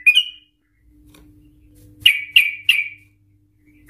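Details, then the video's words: Yellow-vented Bulbul in ropel style, used as a lure to make other bulbuls sing: a single bright note, a pause, then three evenly spaced sharp notes fading downward. "Trucukan Gacor EMOSI Ropel panjang Ngikluk Ampuh untuk Pancingan Trucukan agar bunyi Ropel"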